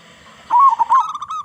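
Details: Big-voiced local zebra dove, song meant to lure other zebra doves to sing: one rich, rolling coo phrase that wavers up and down, then trails into a few softer clipped notes.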